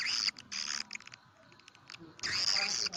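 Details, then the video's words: Swiftlet lure for nesting houses, 'karindanga' style: raspy, high, buzzy chattering bursts at both ends, with soft scattered clicks in between. "sp walet karindanga. liris terbaru. gondes suara walet"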